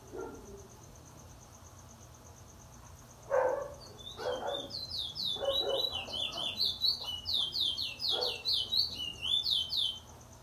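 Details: In April 2021 a Trinidad bullfinch, used as a teacher bird, gives its Luther Vandross style wheet drawl: after several low thuds, a long series of bright downslurred whistles repeats steadily through the final six seconds.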